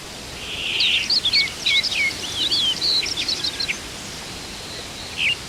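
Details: Stray Rosy pipit recorded during spring birding on Oeyeondo island, Korea: a rapid, jumbled series of high, sharp chirps and squeaky twitters lasting about three seconds, then one short chirp after a pause, with steady outdoor noise behind.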